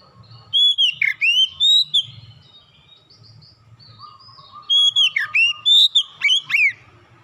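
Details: Oriental magpie-robin lure song used to coax birds into singing, known as kacer: bright whistled notes and steep slurred phrases in two loud bursts, a quiet stretch of soft repeated chips between, faint low hum beneath.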